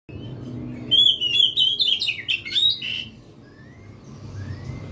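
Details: Oriental magpie-robin singing a loud burst of clear whistled and buzzy notes, rapidly varied and slurred, for about two seconds, followed by a few softer drawn-out whistles over a faint low hum.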